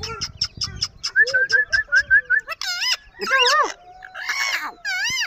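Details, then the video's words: A talking green rose-ringed parakeet, known locally as Kashmiri tota, gives a quick run of about a dozen repeated chirps, then warbling, speech-like syllables with wavering harmonic tones and a harsh, raspy squawk. "Green Ring neck Super Toking Raw Kashmire Tota"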